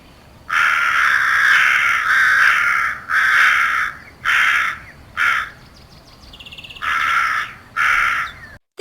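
A crow gives a run of about eight harsh, rasping caws, each roughly half a second long and spaced irregularly about a second apart.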